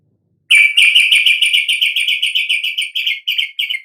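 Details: Yellow-vented bulbul song, used to provoke sluggish or stammering bulbuls into full, open singing: a fast, steady run of short bright chirps, about three or four per second, held at one pitch and slowly fading.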